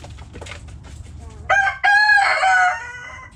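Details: Soft, quick clucking from backyard hens, then a rooster bursts into a loud crow in two parts, a short opening note and a longer drawn-out, harmonic phrase that trails off.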